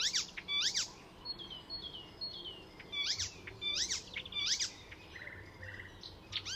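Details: Icterine warbler, a mimic borrowing other birds' calls, recorded at Fysingen reserve north of Stockholm, Sweden: paired sharp downslurred notes recurring at intervals between short thin whistles, fairly quiet against steady background noise.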